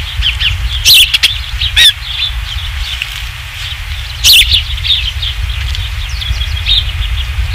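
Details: At a ranch osprey nest on the evening of 27 July 2016, third fish delivery: thin high chirps scattered through, two loud crackling bursts, and a constant low hum underneath.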